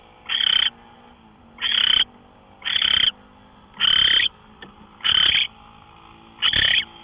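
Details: Owl recorded at 5:27 AM on March 24, 2013: six harsh, hissing rasps, each about a third of a second long, spaced roughly a second apart over a faint steady background hum.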